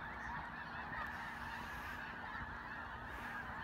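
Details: Vigo County snow geese massed together, their honking merged into a thick, even roar of nasal voices with scattered clearer yelps and steady low-frequency background noise.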